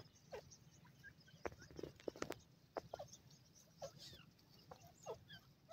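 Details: A pair of grey francolins (Francolinus pondicerianus) call with soft, low clucking notes and short chirps at irregular intervals, with a few sharp clicks and taps over faint background hiss.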